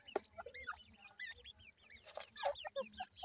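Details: Young grey francolins from Punjab, Pakistan, calling with rapid, bending chirps, many birds overlapping, plus a few sharp taps.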